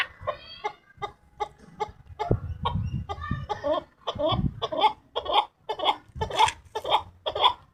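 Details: Chukar partridge delivering evenly spaced, harsh clucking notes about twice per second. They grow louder toward the end over a patch of low rumbling noise midway.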